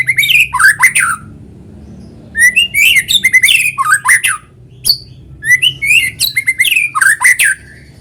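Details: White-rumped shama singing hard in a natural recording meant to coax other shamas into song: rich phrases of sweeping whistles and scratchy chattering notes, delivered in several bursts with brief silences, faint low hum behind.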